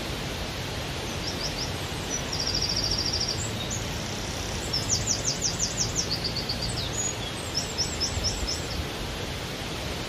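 A robin sings high, thin phrases of rapid trills and quick repeated notes, each phrase different from the last, over a steady rushing hiss.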